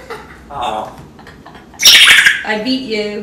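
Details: Pet African grey parrot indoors, producing a run of sound effects: a low hum, then a loud harsh squawk blending into a bright whistled tone and lower tonal notes, with a person talking over it.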